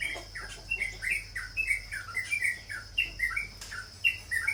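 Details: Sooty-headed bulbul repeating clear, slurred chirps, rising then falling, at a lively uneven pace over a steady high-pitched background tone and low hum.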